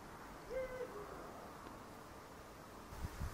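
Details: Eurasian eagle-owl recorded on a Fujifilm X-T4 camera giving one short, steady, hollow hoot near the start, evenly pitched and lasting about a third of a second, then quiet background hiss with a couple of faint low thumps at the end.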